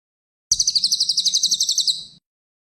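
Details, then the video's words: Cililin songbird recorded as champion-bird tutor song: a rapid, even trill of about seventeen high, bright chirped notes over under two seconds, with a thin higher overtone, ending abruptly; background otherwise quiet. "CILILN MASTERAN BURUNG JUARA"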